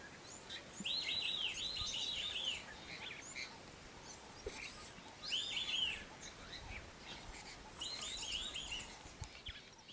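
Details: White-faced whistling ducks in Kruger National Park, South Africa, give bursts of clear, high whistles in quick runs of three or four notes, about every two to three seconds, over faint hiss.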